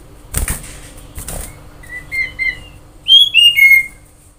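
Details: Song of a common iora used as a lure to get birds singing: short, soft whistled notes followed by a louder run of three downslurred, ringing whistles; brief rustling sounds before.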